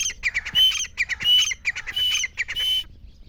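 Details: Loud grey francolin calling for hunters: repeated phrases of quick, grating lead-in notes, each rising into a shrill, ringing note, repeated roughly every three-quarters of a second before stopping abruptly. The background is quiet.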